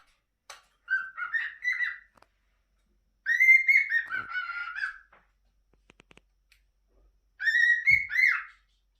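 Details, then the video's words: Merlin, a pet cockatiel, whistles in three bursts of warbling, wavering phrases at a mid-high pitch, with faint clicks between them, in a small room. "Merlin the cockatiel"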